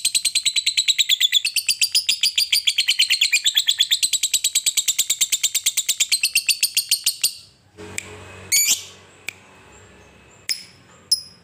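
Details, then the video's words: Long ngekek chatter from a fighter lovebird, used to stir other lovebirds to sing: a fast, harsh, rattling run of repeated notes for about seven seconds, then sudden quiet with a few sharp squawks and clicks. "Lovebird fighter ngekek panjang sekali bunyi bikin Labet Lain emosi dan ikut bunyi"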